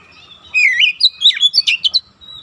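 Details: Oriental magpie-robin song for training untrained birds toward fast dense singing: a long warbled whistle followed by a quick run of about eight sharp, varied notes.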